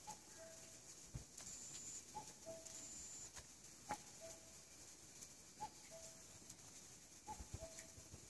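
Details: Cuckoo calling in spring woodland in 2014: a clear falling two-note cuck-oo repeated five times, roughly every one and a half seconds, over a faint thin high whistling tone and occasional soft clicks.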